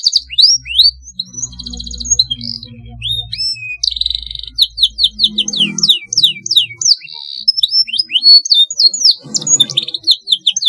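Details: Canary giving a long rolling song used as a training master; fast upswept whistled notes, buzzy trills and repeated chirps in a continuous stream, with faint low hum at times.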